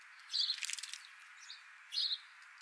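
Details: European starlings visiting a bath in the morning; one gives two short, high, harsh chirps about a second and a half apart, with a burst of rapid clicky ticking in between.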